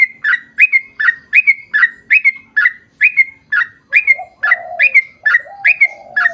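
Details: Vigorous long song of a sooty-headed bulbul, meant to get others singing in reply: loud whistled notes repeated steadily, each snapping downward, about two per second, with a low cooing phrase near the end.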